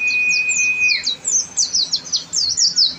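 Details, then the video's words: Masteran recording of a gacor oriental white-eye (pleci): a steady held whistle for about a second, followed by rapid, very high chirping notes. "pleci gacor"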